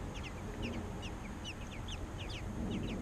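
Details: American robin nestlings fed by parents give quick clusters of high, descending chirps in short bursts, over a low rumbling background.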